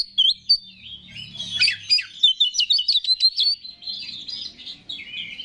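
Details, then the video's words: Oriental magpie-robin, a contest bird, singing to provoke rival males; dense burst of scratchy chatter and rapid clicking notes, trailing into softer varied warbling. "Pancingan Menaikan Emosi K4CER"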